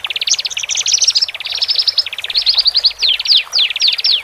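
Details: Horsfield's bush lark, male and female, meant to ease newly separated birds into cage life: quick buzzy trills that give way to sharp downslurred whistled notes repeated near the end.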